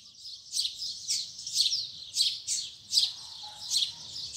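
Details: Double-collared seedeater in the morning giving the 'tui tui zel zel' song: buzzy high notes repeated about every half second, softer and more distant, over faint low background noise.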